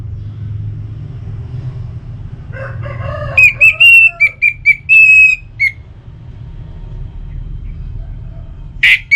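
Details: Orange-headed thrush song, used to prompt caged birds to sing: soft lower warbles lead into a series of short, level, clear whistles, then a rough burst, with low background hum.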